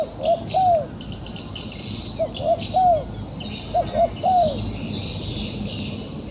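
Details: A trapped but defiant wild dove repeats a soft coo of two short notes and a longer slurred one, with pauses of about a second between phrases. Constant high insect-like noise surrounds it.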